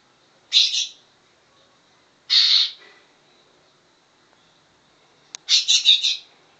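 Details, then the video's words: Greater green leafbird imitating the song of a cucak jenggot: three bursts of harsh, chattering high notes a second or two apart, the last burst the longest. "cucak ijo isi cucak jenggot"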